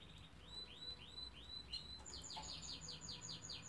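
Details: Canary song: a run of repeated downslurred whistles, then a fast trill of rapid high notes, steady and continuous with faint low background hum.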